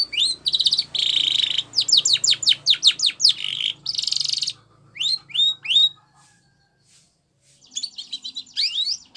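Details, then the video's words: Training song of a canary: buzzy rolled trills alternate with fast downslurred chirp series, then scattered rising notes, a brief silent gap and renewed sweeps with a low background hum. "Canary Singing Bird Sounds"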